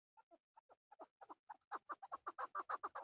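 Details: Male chukar partridge, a hunting bird, starting with soft, spaced clucks that quicken and grow louder into a rapid, steady chuck-chuck series.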